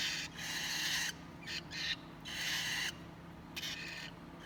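Cockatiel chicks give harsh, hissing rasps in bursts of about a second, separated by short pauses.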